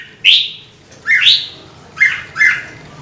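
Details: Red-whiskered bulbul singing on cue: four clear, loud whistled notes, each a quick upward-bending chirp with a tail, spaced under a second apart.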